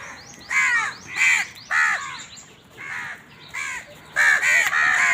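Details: Crows competing for food call repeatedly with coarse, nasal caws, close to two per second, in uneven bursts that grow louder and overlap toward the end.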